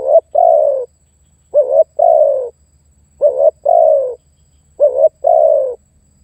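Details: Calling spotted dove used to lure and press a rival: four rhythmic phrases, each a short tremulous note then a sustained coo dropping in pitch, in a near-silent setting with faint hum.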